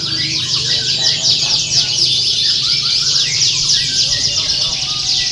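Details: Canary competition song used to train birds for singing contests: a loud, continuous high warble of fast trills, sweeping whistles and twittering notes, barely pausing, with a faint low hum beneath.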